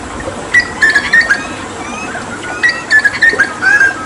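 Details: Hooded butcherbird, a Papuan mimic, after water therapy, singing short whistled phrases mixed with sharp clicks and ticking notes, repeated in two bursts.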